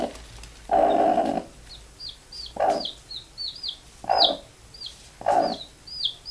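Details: A mother hen calling her chicks to sleep gives low, throaty calls about every second and a half, while her chicks answer with a steady stream of thin, high, falling peeps.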